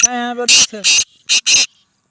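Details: Black francolin, called kala teetar, a speeder bird said to give nine calls a minute: a human voice with a low buzz at the start, then four harsh, rasping, broadband bursts in quick succession.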